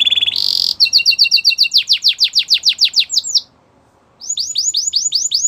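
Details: Belgian canary song opening with a brief harsh buzz, then a rapid chain of sharp chirps turning into loud sweeping notes, a short pause, and a new series of high swooping whistles.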